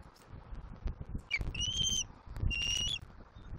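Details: Juvenile bald eagle at a Southwest Florida nest, 7 April 2024, squealing as its father flies in with a whole fish: two thin, high whistled squeals, each slightly rising and held about half a second, over low rumbling background noise.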